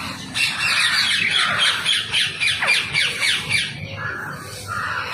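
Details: Wild rose-ringed parakeets gathered for food, giving a rapid series of sharp screeching squawks, about four per second, then a pause and softer single notes.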